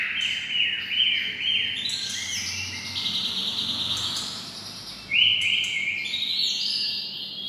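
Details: Kept white-rumped shama imitating red-whiskered bulbuls: a quick series of rising whistled notes, then long high smooth whistles, against constant broadband hiss.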